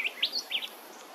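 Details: Red-browed finches at Hervey Bay, Queensland, giving four quick, thin upslurred chirps in rapid succession, high and clear against a faint steady hiss.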